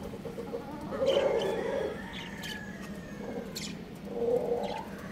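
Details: A rooster crows, a harmonic, drawn-out call of about a second that pauses, then rises again in a shorter second phrase, over a steady low outdoor hum with a few faint chirps.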